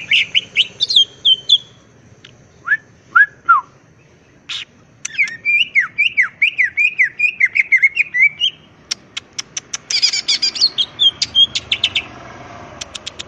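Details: Greater green leafbird singing constantly, full of filler phrases in ngentrok style with crest raised: varied whistled notes, a rapid rippling trill of looping notes, then a dense burst of sharp chips and high whistles.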